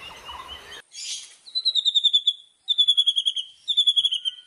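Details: White-rumped shama, a forest recording meant to prompt captive birds that are slow to sing: after a brief noisy burst, three high thin trills of quickly repeated descending notes, separated by short pauses.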